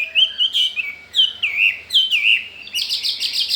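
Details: Caged Chinese hwamei, wild-caught and newly arrived, eager to breed: clear rich whistled phrases that swoop down and up, repeated in bursts, ending in a fast high buzzy trill.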